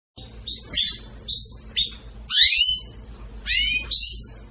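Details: Excited canary singing: short, bright chirps and sweeping whistled notes, some rising and some falling, arrive in separate bursts about every half second to a second, with a low steady hum underneath.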